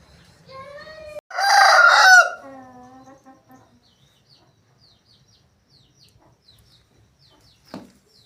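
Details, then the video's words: Aseel rooster giving a short, loud, harsh crow lasting about one second. It is preceded by a few quieter, rising harmonic calls and followed by fading lower notes, then near silence with a brief click near the end. "Asil Rooster Sound Effect |Aseel Roosters crowing Compilation | aseel murge ki awaaz"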